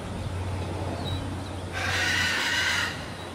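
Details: A neighbour's caged macaw, one of several that squawk each morning and make a racket when anyone passes, gives a single harsh, rasping squawk of about a second after a stretch of low, steady hum.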